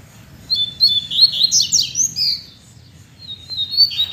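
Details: Captive Double-collared Seedeaters (coleiros), singing strongly all week after cold rainy days instead of moulting: bright, high whistled phrases with a quick buzzy trill in the middle, in a quiet room.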